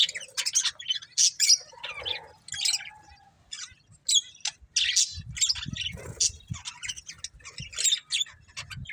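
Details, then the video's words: Budgerigars, a breeding pair, trading quick squeaky chirps and grating warbles in short clusters, with soft low rustling mid-way. "Cute Budgies Chirping Sounds"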